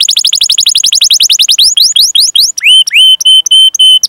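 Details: Canary master song to provoke other canaries to sing: a fast trill of rising whistled notes that slows, then long flat pure whistles with hooked starts.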